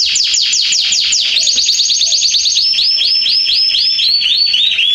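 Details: Garden canary in September 2020 repeating sweeping downslurred whistles, then quick chattering notes and a series of arched, bouncing phrases.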